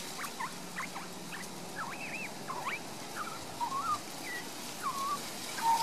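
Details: Resident young Australian magpie warbling in a garden in Queensland, Australia, captured with a Panasonic Lumix DMC LX7; varied quick slurred notes and curling whistles, then a few longer wavering tones, quiet over background hiss.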